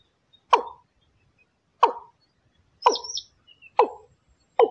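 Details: Watercock call in the Thai style; hollow, deep plopping notes repeated roughly every second, five in all, with a faint high squeak between two of them.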